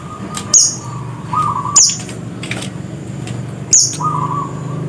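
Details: Scarlet-headed flowerpecker (cit kersen) giving three isolated, sharp, very high tsit notes spaced one to two seconds apart, each followed by a faint lower whistle, over a low background hum.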